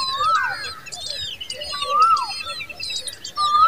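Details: Common babbler guarding her young at the nest. A clear whistled phrase rises then falls, repeated about every 1.7 seconds, over busy high chattering and squeaky notes from other birds.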